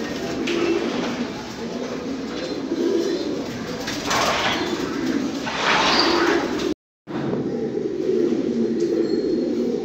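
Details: Several low, murmuring pigeon coos from fancy pigeons, steady and rolling, with brief clattering noises, a short break near seven seconds, then more cooing.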